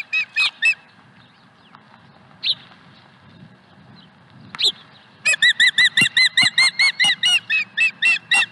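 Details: Osprey at its Dunrovin Ranch nest on 5 May 2020 as a fish is delivered: a few sharp whistled chirps, a pause with scattered notes, then a rapid run of shrill, evenly spaced piping cries.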